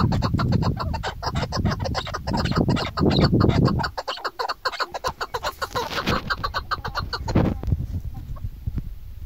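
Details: Female chukar partridge calling during hunting season: rapid, harsh, clucking notes about four per second in an almost continuous run, over heavy low rumbling background noise.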